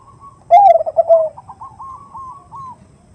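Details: Female zebra dove calling a male, 'nutut' voice favoured for lures: a loud low bubbling coo opens, then a long fading run of soft purring trill notes.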